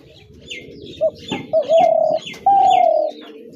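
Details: Spotted dove calling: a short low coo followed by two longer, steady, hollow cooing notes about half a second each, with faint high chirps of small birds in the background.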